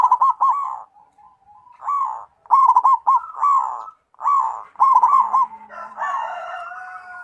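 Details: Local-strain zebra dove giving its song, a series of mellow rolling coos with fast warbling trills, phrases roughly one second long with gaps between, ending with a harsher, broader overlapping sound.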